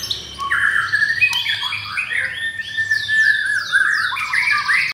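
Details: White-rumped shama, brown-pied adult held in a cage in Jakarta, Indonesia, during a bout with a rival bird: a continuous tumble of bright whistles, looping downward sweeps and buzzy high trills, with no pauses.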